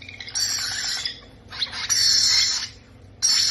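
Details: Baby parrots being fed give three harsh, raspy, hissing squawks, each lasting about half a second to a second, separated by short pauses, over a steady low hum.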